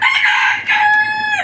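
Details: Native deshi chickens on a farm of 29 laying hens: a loud, harsh, harmonic-rich call held about half a second, a brief break, then a second longer drawn-out note that slides down at the end.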